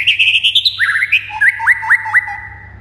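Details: White-rumped shama song intended to excite other shamas into singing: a fast string of bright high chirps, a jumbled twittering run, then three crisp upswept whistles and a long, level, fading note, with a soft background hum.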